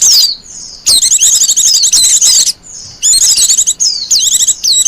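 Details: Wild Japanese white-eye singing, kept as a lure and master song: bursts of high, rapid twittering and sliding whistles, each about a second long, separated by short pauses.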